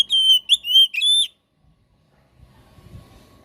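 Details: Oriental magpie-robin (kacer) lure song meant to trigger a silent kept bird to sing. Four loud, pure whistles, some flat and some dipping slightly, delivered in quick succession, then silence and faint low rumble.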